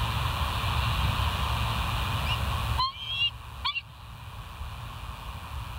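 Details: Bald eagle at the West End nest cam, morning of 1 September 2023, 07:06: two short bursts of sharp, rising, harmonic-rich chirps about a second apart, with a constant low roar of wind or waves behind.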